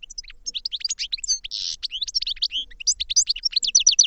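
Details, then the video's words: Goldfinch song: a dense, continuous twitter of rapid high chirps and slurred whistles, with a brief buzzy burst near the middle. Delivered without pause for about four seconds, with no other sounds. "Goldfinch Song to Educate Newcomers to Their Call"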